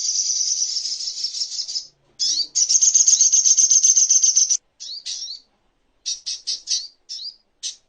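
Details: Little spiderhunter, master recording for tutoring songbirds: two sustained high buzzy trills, each a couple of seconds long, followed by a string of short slurred high notes with brief gaps.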